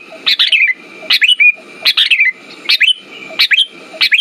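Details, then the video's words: Lure recording of sooty-headed bulbul song for birds that have stopped singing: rich, gurgling whistled phrases repeated every second or so, with a steady thin tone and soft rumbling between them. "Pancingan burung kutilang macet"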